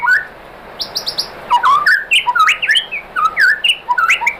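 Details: White-rumped shama song used as a lure to provoke other shamas into singing: varied whistled phrases, high upward flicks and a quick run of falling notes, then jumbled mid-pitched slurred whistles and chirps.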